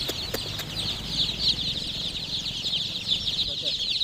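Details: Chicken chicks chirping in a dense chorus of high, quick descending peeps, opened by a few sharp clicks, over light low background noise.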